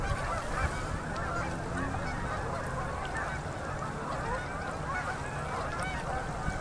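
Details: Endless flocks of migrating Canada geese descend onto a river in Manitoba, Canada, at sunset in October 2018. A dense, unbroken wall of nasal honking from countless birds calling at once fills the whole stretch.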